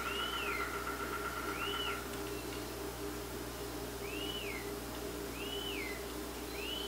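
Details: Rose-breasted Grosbeak young being fed by its mother in Quebec, giving clear, arched whistled notes, rising then falling, about every one to two seconds, over a steady low engine-like hum.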